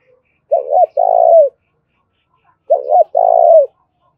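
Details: Spotted dove calling in the thổ đồng voice style, used as a lure to stimulate calling: two cooing phrases about two seconds apart, each a quick double note followed by a long, vibrating, slightly falling coo.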